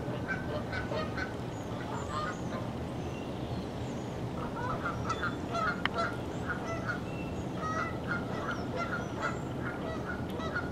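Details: A flock of about four dozen Canada geese flying in and gathering on Little and Big Fishweir Creek, 7:16 am, 23 November 2015, honks almost without pause, overlapping nasal two-note honks over steady low background rumble.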